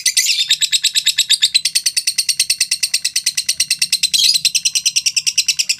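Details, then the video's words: Lovebird in a long ngekek, meant for playing mornings and evenings to set a bird singing: fast, even chattering rattle of high notes, two brief louder harsh bursts, near-silent background. "LOVE BIRD NGEKEK PANJANG 2 MENIT TANPA JEDA"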